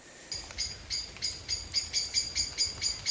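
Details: At the start of summer in Oxfordshire woodland, near dark, a Common Blackbird gives sharp, high, metallic alarm notes, about three a second in a steady string, alarm-calling at a tawny owl with chicks nearby.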